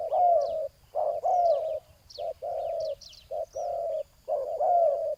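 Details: Ground decoy spotted dove and its loud rival: mellow coos in uneven groups, short clipped notes between longer steady ones, a faint sliding whistle over some, with scattered high twitters from small birds.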